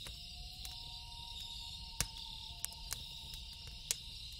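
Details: Night-time loon call, a sustained mournful two-toned wail held through the whole stretch, with a dense high cricket-like chorus and scattered snaps of a crackling fire.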